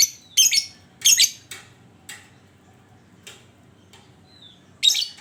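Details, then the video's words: Lovebird used as a lure to get other lovebirds singing, giving three sharp, rasping high chirp bursts, two early and one near the end, with fainter scratchy clicks and a thin whistle in between. "Panciangan Burung Lovebird"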